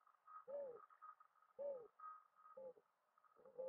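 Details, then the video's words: Mourning dove calling: low, soft hooting coos, each slightly falling, repeated roughly every second, over a steady faint background hum near the middle range. "Mourning dove call"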